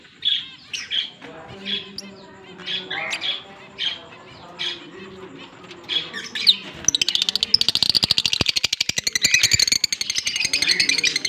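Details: Two green Fischer's lovebirds chirping, October 16, 2023: a run of short bright high chirps, then a long stretch of rapid, evenly pulsed rattling sound.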